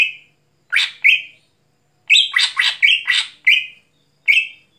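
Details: Greater green leafbird in vigorous song at night: a whistle, a pair of harsh notes, then a quick string of rasping chirps and whistles after a pause, ending in a lone call.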